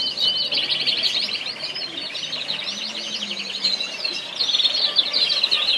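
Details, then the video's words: Orange canaries, caged birds in Kuwait; continuous rapid warbling song of rolling trills and twittering notes, several birds overlapping, with a faint low hum beneath. "Orange Canary Birds طيور كناري"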